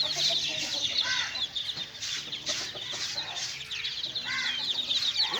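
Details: Playing chicks keep up a busy stream of shrill cheeps, several per second, with occasional arched louder peeps and a faint hum beneath.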